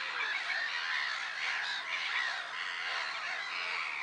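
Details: Black-headed gulls on Lake Sarymsak, Pavlodar Region, Kazakhstan, on 10 April 2011, heard as a thick wash of shrill, scratchy calls from numerous birds, fairly even in loudness throughout.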